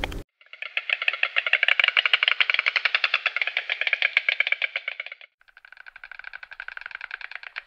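A white stork clatters its bill in a fast, dry, wooden rattle for about five seconds, pauses, then gives a softer, thinner second rattle.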